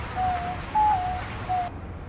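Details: Diamond dove giving soft, pure whistled coos, three level notes of about a quarter second each. The middle note is slightly higher and drops at its end. Low background hum throughout.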